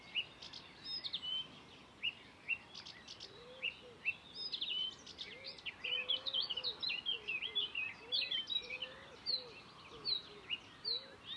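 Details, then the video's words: At Far Ings Nature Reserve, UK, on 11 June 2020, a Blyth's reed warbler pours out mimicked songs and calls of other species; dense, rapid chattering and whistled notes fill the air, with soft low slurred notes repeating underneath. "The amazing BLYTH'S REED WARBLER singing in the UK"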